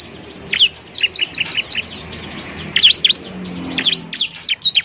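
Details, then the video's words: Ciblek, the Bar-winged prinia, singing as a masteran tutor recording for other cage birds: high, thin chirps and swooping slurred notes in short, fast bursts with brief gaps, over faint background hiss. "masteran burung ciblek"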